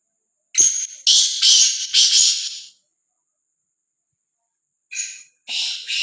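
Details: Black francolin, described as free-roaming and fearless, gives loud harsh grating notes in a burst of about four phrases, then a pause and two more phrases; otherwise quiet.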